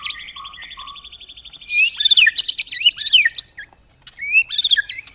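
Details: White-rumped shama song of the rapid 'tembakan rapat' type, from a bird able to imitate other species: three soft low whistles, a high sustained trill, then dense loud bursts of sliding whistled and buzzy notes.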